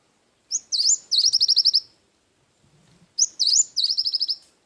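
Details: Cinereous tit song in 'isian wingko' form, two phrases about two and a half seconds apart. Each is a swooping whistle followed by roughly eight crisp, rapidly repeated high notes, with near silence between.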